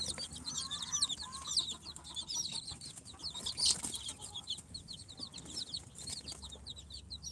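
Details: Newly hatched chicks from an incubator, four days old, of Sultan, Golden Sebright, Cochin and booted breeds, peeping in a steady stream of short high notes over a low hum.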